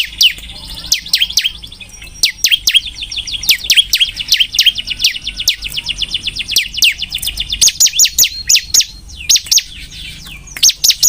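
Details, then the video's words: Bar-winged prinia singing steadily: long, rapid series of piercing high chip notes repeated several times a second for over ten seconds, with a short gap near nine seconds. "burung ciblek gacor"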